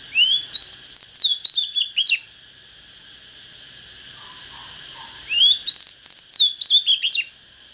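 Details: White-rumped shama just coming into form, singing two short phrases of sweet rising whistles ending in quick dropping notes, separated by a pause, over a constant high electronic-like tone.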